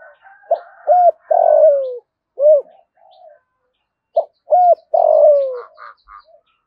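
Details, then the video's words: Spotted dove cooing to provoke wild doves: a phrase of short rounded notes, a long descending drawn-out coo and a closing rounded note, given twice about four seconds apart, with faint higher chirps between. "Tiếng chim cu gáy kích bổi"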